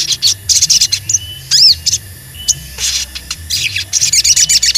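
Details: Crimson Sunbird singing cuit cuit, offered as a lure to provoke rivals: fast, busy high twittering, then a few isolated ringing notes and a thin swept whistle, before another rapid stream of bright chirps.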